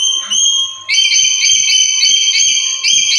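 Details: Black-capped lory, kept as a master bird to make other lories call: a steady string of shrill, ringing whistled notes with strong overtones, pulsing rapidly without break, a faint steady hum and light knocks below.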